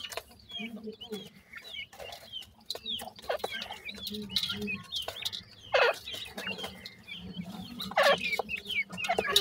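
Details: Grey francolin (dakhni teetar) chicks giving short, thin upward peeps, many overlapping in quick succession, with clucking fowl sounds, scattered clicks and a low hum behind them.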